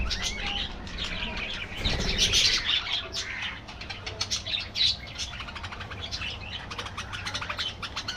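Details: Budgerigars chattering in an aviary colony: quick runs of clicking, rattled chirps mixed with warbled whistles and squeaks, plus a brief flutter of wings.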